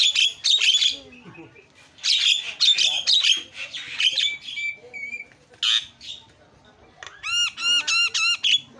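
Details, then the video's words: Starling voice used to provoke other birds into calling: bursts of harsh raspy squawks, a few thin whistles, then a run of ringing, bouncing whistled notes repeated rapidly. "JALAK GACOR SUARA SUPER KRREENN"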